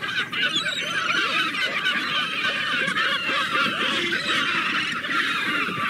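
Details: A steady din of many seagulls, with raucous, overlapping honks and squeals that never pause and hold an even loudness from start to finish.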